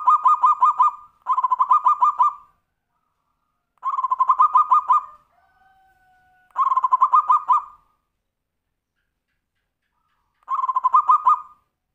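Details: Tumpang Sari song of a zebra dove, a style used to lure other birds into singing: five quick bursts of bubbling, stuttered coos, each lasting about a second, with a faint thin tone between the middle phrases.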